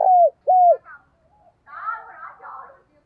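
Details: Caged decoy spotted dove calling in the morning to draw in wild birds. Two low coos sliding downward, followed by faint murmuring sounds.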